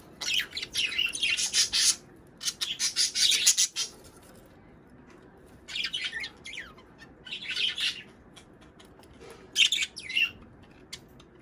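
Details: Budgerigars chattering for breeding stimulation: long bursts of fast, grating, high-pitched warbles and chirps, stopping and restarting several times with short silences between runs.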